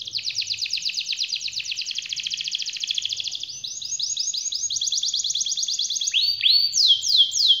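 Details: Long-rolling 'ngerol panjang' canary song: a quick pulsed trill for over three seconds, then a slower series of rising chipped notes, and at the end loud, clear, swooping whistles that drop sharply in pitch.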